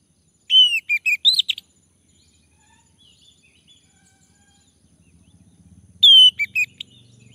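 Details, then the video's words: Male orange-headed thrush prompted to sing: a rapid cluster of bright whistled notes, then quiet with faint low rumbling, before another short burst of sharp notes. "Anis merah jantan, agar bunyi"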